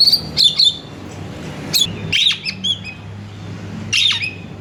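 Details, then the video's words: Kacer (Oriental magpie-robin) song for stimulating another kacer to sing: clusters of bright high notes and scratchy bursts at irregular intervals, with a faint low hum behind. "PANGGIL KACER GACOR BUNYI MEWAH"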